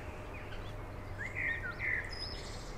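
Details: At Beverwijk in the Netherlands, a Eurasian coot family with seven chicks gives two shrill, slightly rising whistled calls in close succession, with faint high chirps around them and a low droning background.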